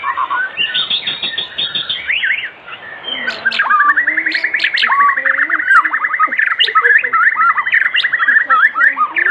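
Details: Afternoon lure song of a white-rumped shama, meant to set other shamas singing: varied opening whistles give way to a long, rapid, rattling trill run, with looping slurred notes on top.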